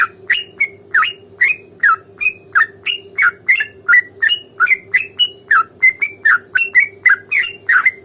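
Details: Sooty-headed bulbul in a long fighting roll used to prompt a reply: a continuous, steady stream of short bubbly whistled notes, about three per second, with a low background hum.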